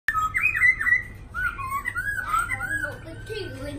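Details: Two caged black laughingthrushes in Hanoi, Vietnam, singing in the long-flowing 'lai dai' style: a run of loud slurred whistles dipping and rising, then softer warbled phrases sliding lower, with a low indoor hum beneath.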